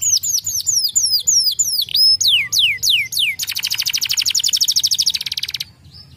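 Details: Singing canary: a series of descending whistled slurs about three per second, a brief steady note, then a very fast rattling trill that stops abruptly, leaving quiet.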